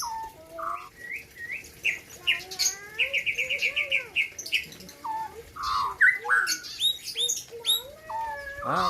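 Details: White-rumped shama from the Gayo highlands of Aceh singing at a 2021 bird competition: a varied run of clear whistles, rapid repeated chipping notes and rising slurs, with faint background chatter.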